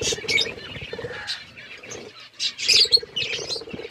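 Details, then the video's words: Aviary budgies in a forest environment give scattered squeaky chirps and short warbles, quieter in the middle, then a louder burst of bright twittering. "Budgies in forest environment aviary birds chirping"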